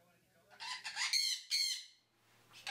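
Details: Pet sun conure that chatters the words "что", "что там" and "пока-пока". Two loud, harsh, grating utterances run back to back over a faint steady hum, followed by a quieter rasp at the end.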